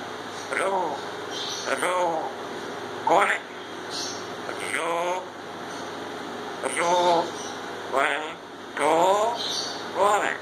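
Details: A pet grey parrot named Kiwi talks, reportedly saying "Ya Allah" and more, in short speech-like phrases with harmonic, wavering tones about every two seconds, over a steady indoor hum.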